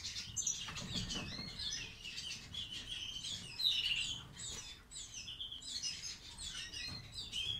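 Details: Classic-style song of a pet European goldfinch with white-throat (ak gerdan) markings, one of two such birds tried for pairing: continuous lively twittering, rapid chirps and buzzy trills, with low background rumble.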